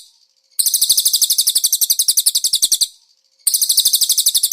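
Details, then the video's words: Cage-bird training master of a konin carrying cililin phrases: a sharp, high trill of rapid buzzy notes lasting over two seconds, a pause, then another trill begins. "MASTERAN BURUNG KONIN ISIAN CILILIN"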